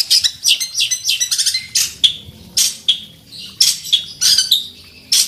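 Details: Fighting long-tailed shrike (centet) in loud masteran song, looking for an opponent: scratchy high bursts separated by brief gaps, mixing harsh chatter with short clear whistled notes.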